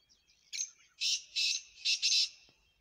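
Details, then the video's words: A black francolin calls close in front of the recordist, a harsh, grating call: a short rasping note, then four longer scratchy phrases over about two seconds. "کالے تیتر کی خوبصورت آواز"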